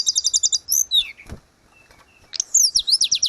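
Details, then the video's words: Grey-cheeked bulbul singing lively for cage-bird training: a quick run of evenly repeated high notes, a downward slur, a brief pause, then fast sharp rising-and-falling whistles. "Terapi tledekan gunung _gacor cocokjuga cocok buat masteran"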